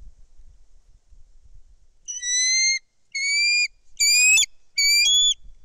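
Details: Bald eagle at a nest in Kistachie National Forest, caught on a nest cam on 10.12.2023 as a foreign female flies in with a fish and another eagle circles overhead; four high, thin whistled notes with rich overtones, each about half a second, evenly spaced.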